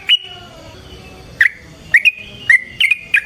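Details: Yellow-vented bulbul giving long fighting song, a lure to provoke rival bulbuls; sparse, rich, slurred whistles with gaps of about half a second between phrases.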